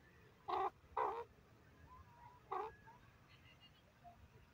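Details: Grey francolin giving loud, harsh, strident notes: two in quick succession, then a third after a short pause. The background is faint, with a few soft distant chirps.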